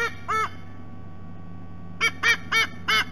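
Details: Sea eagle chick back at its nest after a rest, Sydney Olympic Park, Australia, 3 November: a single harmonic honking note, a pause, then four quick honks about every quarter second over a steady low hum.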